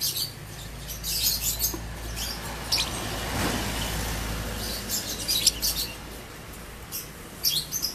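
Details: Ngekek from a kept ombyokan lovebird: clusters of high, shrill, scratchy chirps at the start and again toward the end, with a steady low hum beneath.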